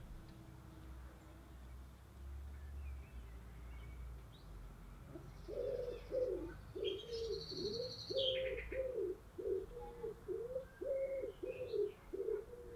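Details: A female German Vorwerk hen sunning herself outdoors in Fjerkøbing, Denmark, gives a low rolling run of soft clucks, about two per second, after a quiet start; a brief higher bird chirp and faint outdoor hum.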